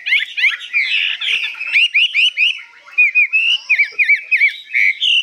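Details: Hwamei, newly arrived and called 85% tame, sings high with long phrases: rolling warbled notes, then a series of repeated looping whistles, each a quick up-and-down slur, delivered in rapid bursts.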